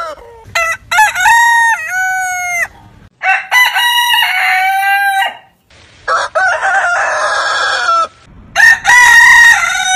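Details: Several heritage-breed roosters crow in quick succession, giving four crows in ten seconds. Each is a ringing cock-a-doodle-doo with choppy opening syllables and a long drawn-out close. One crow sounds raspier and noisier than the rest.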